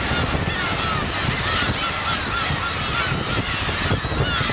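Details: Black-tailed gulls with young on Kurosaki coast, Teuri Island, Hokkaido, 13 June 2021: steady, level, nasal mewing notes from several birds repeat through the whole stretch, set against the hiss of breaking waves.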